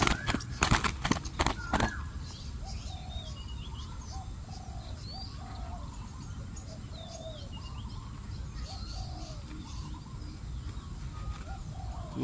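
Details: Decoy spotted dove used to attract wild doves, uttering a steady string of soft, low coos behind loud wing flapping at the start. Many small birds whistle and chirp higher up, with a constant background hiss.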